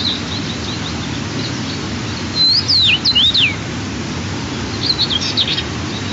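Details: Second feeding of the morning at a White-tailed eagle nest, 4 June 2023, with eaglets 12 and 14 days old: a quick series of high, piercing whistles swooping up and down, then a second shorter cluster of thin notes, with steady rushing background noise.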